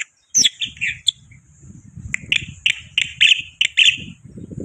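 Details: Chatty lure recording of a white starling (black-winged myna): short buzzy chirps repeated roughly twice a second over steady low rumbling noise, opening with a few sharp high notes.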